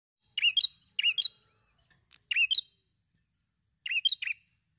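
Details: A prinia calls densely in a recording used as a lure to make other prinias sing: bursts of sharp, high, buzzy chirps, each a quick doubled phrase, repeated about once a second with brief pauses, with nothing else heard.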